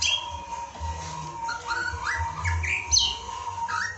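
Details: White-rumped shama song played as a masteran lure to provoke a kept bird into singing: varied whistled and rising phrases with sharp upward sweeps, over a steady low hum and a constant tone.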